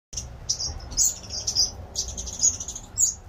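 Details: Finches in an aviary giving thin, very high chirps and short tweets in irregular bursts, several notes overlapping at times, over a low steady background hum.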